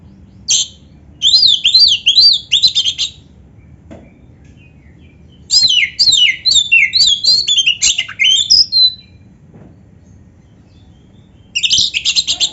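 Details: Oriental magpie-robin (kacer) singing with canary-song filling. Bursts of quick, jumbled chirps and slurred whistles about two seconds long, separated by quiet gaps of up to three seconds, three bursts in all.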